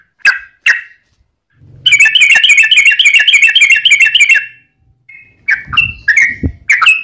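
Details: Yellow-vented bulbul singing to provoke rival bulbuls: two opening chirps, then a dense rapid bubbling run lasting over two seconds, followed by scattered sharp notes and faint low rustling.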